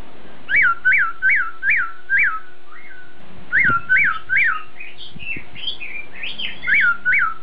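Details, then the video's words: Masked laughingthrush, known locally as poksai Hongkong, singing in the import style: clear whistled notes that rise then drop, repeated in quick runs of four or five, followed by higher looping phrases, with a faint steady hum behind. "Poksai Hongkong Suara Import"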